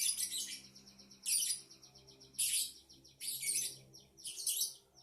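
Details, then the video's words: Lovebird twittering in five loud, scratchy high-pitched bursts, with quieter rapid clicking chirps filling the gaps between them. "Kicau Lovebird | Ocehan burung Lovebird"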